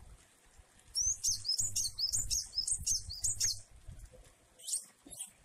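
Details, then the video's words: Java sparrow in 'jueh variasi' song style, with rain: a rapid run of about six high, bright chirping notes with upward whistled slides over two and a half seconds, then a pause and a final chirp. "Glatik wingko jueh variasi dan air hujan"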